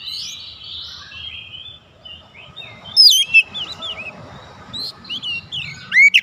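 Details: Oriental magpie-robins exchanging calls, one calling and others responding: soft, drawn-out whistles early on, then bright, twisting chirps around the third second and again near the end, over faint background noise.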